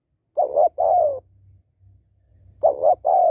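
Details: Hen spotted dove calling to rouse males: a double-pulsed short coo followed by a longer falling coo, heard twice, with a soft low hum between phrases.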